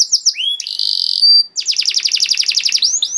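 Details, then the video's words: Master song from a vigorously singing canary for teaching young canaries: a few sharp chirps, a flat buzzy held tone, then a rapid run of falling notes rolled into a trill. "KENARI GACOR PANJANG CENGKOK ISTIMEWA COCOK BUAT MASTERAN KENARI PAUD || VOICE OF CANARY"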